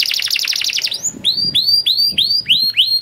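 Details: Canary performing long cuit cuit masteran song to prompt young canaries to sing. It opens with a rapid high trill, then shifts to slower, repeated upward-curving whistled notes about twice per second.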